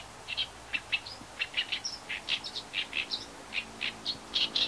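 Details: Oriental reed warbler (Acrocephalus orientalis) call notes: short, harsh, grating notes, about four or five a second in an uneven run, against a quiet background.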